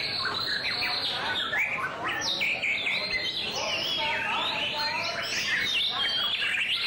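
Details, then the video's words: Song display by a white-rumped shama, ringing whistles mixed with rapid trills and upward-flicking notes, packed closely into a continuous, varied outpouring. "Shama's Song-Display"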